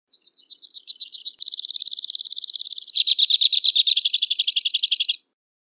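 A two-barred crossbill sings a fast, high trilling song of dry chattering notes, shifting through three rattling phrases in about five seconds.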